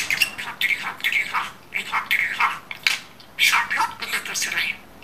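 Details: Domestic budgerigar imitating human speech in Turkish, producing fast hoarse word-like bursts and bright chirps in a steady stream of chatter.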